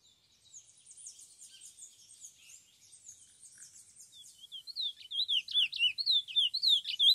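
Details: Chestnut-bellied seed finch recorded 27 January 2021 in Brazil, a bird of the type called bruto, singing in the free style: fast, high, sweet warbled twitters at first, then louder, clear whistled notes sliding up and down, rapidly repeated.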